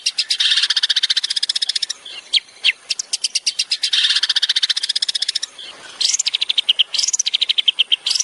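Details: Master recording of a long-tailed shrike for training songbirds, with long runs of rapid, harsh, buzzy chatter broken by sweeping whistled slurs, repeated in several loud bursts.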